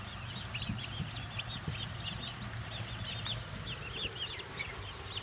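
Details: Crowd of baby turkey poults just delivered to a farm, giving rapid high-pitched peeps and chirps in a dense overlapping chorus over a constant low mechanical rumble.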